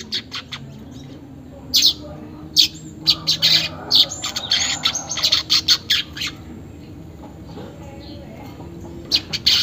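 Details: Unedited weaver chatter used to coax caged birds into song: scattered dry, scratchy bursts at first, then a denser run of rapid buzzy notes in the middle before thinning to a few sharp final bursts.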